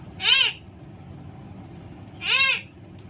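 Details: Pet Alexandrine parakeet at play: two loud, arched, nasal calls about two seconds apart, each a short rich note with many tones rising then falling, over low steady background hum.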